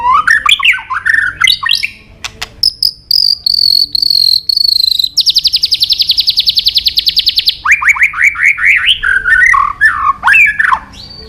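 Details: White-rumped shama singing a rich, varied song: sliding whistled phrases, a long buzzy trill, then a rapid pulsed rattle and quick rising and falling notes, loud and continuous throughout.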